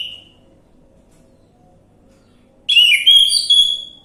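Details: Orange-headed thrush lure song for stirring a bird that has stopped singing: the tail of a whistled note fades, a long pause with faint hum follows, then a loud, varied, warbling whistled phrase bursts in.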